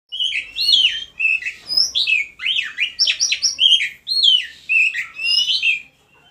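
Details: Oriental magpie-robin (kacer) singing while asking to mate: loud, rapid run of varied whistled and warbled phrases with sharp up- and down-sweeps, delivered in short bursts separated by brief pauses, with no other clear sounds.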